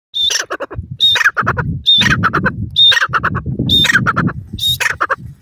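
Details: Female grey francolin calling: a repeated phrase that opens with a high, thin whistled note, followed by a rattle of harsh, clipped notes, roughly once a second, with low rumbling background noise.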